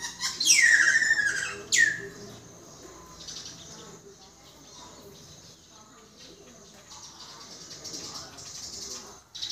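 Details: Common myna producing two loud, steeply falling swept notes within the first two seconds, then a long stretch of faint, high, scratchy chatter with soft murmuring voices in the background.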